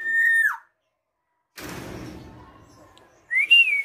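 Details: Tame black-naped oriole singing: a clear, level fluted whistle that drops at the end, a pause with rustling noise, then a rising whistle that flattens out.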